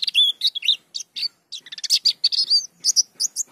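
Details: White-eye in full continuous song: a fast, unbroken run of high, sweet chirps and twitters, notes tumbling into rolling bursts with only brief pauses.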